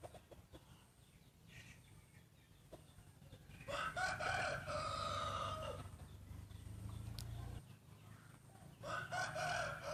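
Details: Rooster crowing contest among breeding roosters: after faint background clucks and knocks, a drawn-out crow of about two seconds rises and holds steady, then fades; another crow starts just before the end, with a low hum underneath.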